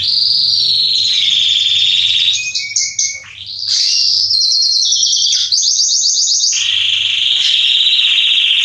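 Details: Male Belgian canary (Salsa type) singing to warm up other canaries: loud, continuous high trills, shifting between rapid buzzy rattles and sweeping whistled notes, with a brief drop in the middle.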